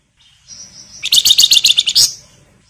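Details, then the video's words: A flamboyan bird in lively full song, with the chattering crecetan, whistled nyiul and rapid ngebren styles, used to prompt other birds to sing. A thin high whistle leads into a fast run of about ten sharp, buzzy chirps that ends abruptly. "PANCINGAN FLAMBOYAN GACOR NYIUL CRECETAN LAWAN IKUT NGEBREN"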